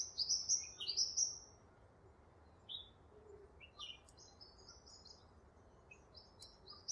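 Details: Double-barred finch, also called owl finch or Bicheno finch, a grass finch kept in an aviary: two drawn-out, high, slightly rising nasal calls open the clip, then softer scattered high chirps and short whistles over faint background hiss.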